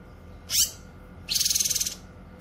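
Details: Grey-cheeked bulbul, used for tutoring and luring: one harsh rasping note, then a pulsing rattle of rapid, even beats lasting about half a second.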